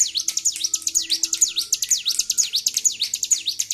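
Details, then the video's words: Bar-winged prinia, agitated and provoked into high emotion, recorded 26 February 2023, singing nonstop: a fast run of sharp V-shaped high chirps, roughly two each second, with a faint low hum behind. "CIBLEK GACOR || PANCING EMOSI BURUNG CIBLEK"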